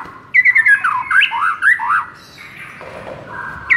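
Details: White-rumped shama song meant to stir a listless bird: rapid chattering notes leading into looping, wavering whistles that rise and fall, then softer lower tones.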